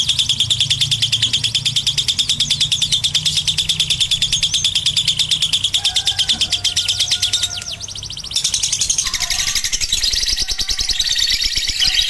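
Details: Ngekek long chatter of a lovebird, used as tutoring: a dense run of rapid high notes for about seven seconds, then a brief drop and a noisier, harsher stretch of chattering.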